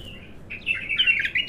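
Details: Untrained bulbul singing for the first time, softer here: a rambling stream of warbled, slurred whistles that grows into a busier jumble of notes toward the end.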